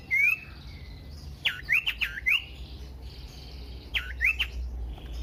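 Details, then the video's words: Common iora lure song for prompting other ioras to sing, made of short rising whistles and quick sharp slurred notes in two clusters separated by a quieter pause. "pancingan burung sirtu cipoh AMPUH bikin GACOR dan EMOSI"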